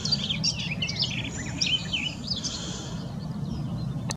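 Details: Fast, rich warbling song of a garden warbler, a tumbling stream of sweet twittering notes for about three seconds, then stopping, over steady low background rumble.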